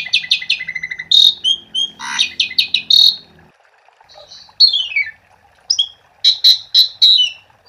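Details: Asian pied starling in full 'gacor' song, used to set off other starlings not yet singing: rapid chattering notes and harsh bursts, a pause, then falling buzzy sweeps and a final burst of loud chirps.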